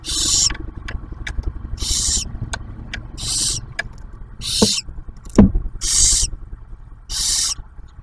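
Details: Barn owl nest with a newly hatched owlet at a wildlife refuge near Oak Harbor, Ohio, during a food delivery by the male; repeated short airy hisses over scattered clicks, knocks and low rumbling background noise.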